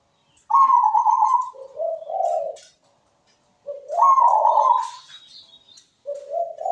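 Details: Persistently singing zebra dove with a melodious voice: a bright vibrating coo falling into lower rolling notes, repeated twice after a pause, then a fresh low rolling start.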